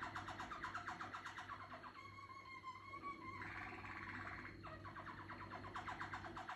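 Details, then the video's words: Young Malinois canary working on its song: rapid rolled trills, a held two-toned whistle, a dense roll, then more quick rolled notes. A continuous low hum sits underneath. "Canario pio vaca de canto malinois ,cuajando"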